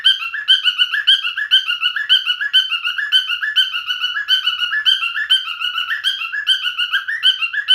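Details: Singing male cockatiel pours out a steady stream of short whistled phrases, about two per second, each a bright, slightly warbling note with rich overtones. The rhythm is bouncy and continuous with no background noise.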